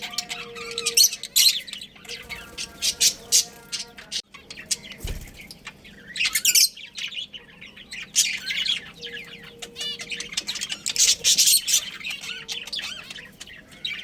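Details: Chattering budgies, a breeding pair, fill the air with rapid high-pitched chirps and scratchy warbling squawks in uneven bursts, with a brief thud partway and soft humming behind.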